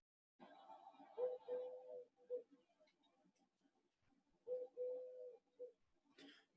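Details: Eurasian collared dove in the Yampa Valley near Steamboat, where it has been present since 2003 and sings even in winter: two low, hollow three-part coos (short, long, short) about three seconds apart, with a faint click.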